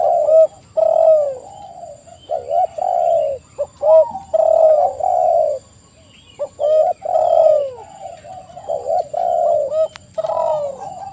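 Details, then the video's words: Busy spotted dove cooing, many low mellow notes and drawn-out falling coos layered from more than one bird, with a few quiet gaps and a single sharp click near the end. "TEKUKUR GACOR suara merdu"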